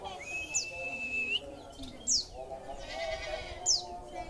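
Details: Caged white-eye in Indonesia, kept by a hobbyist, fed extra food and then encouraged to sing. A long, level whistled note is followed by three sharp, high, downward-slurred chips spaced about a second and a half apart. Faint background noise is present.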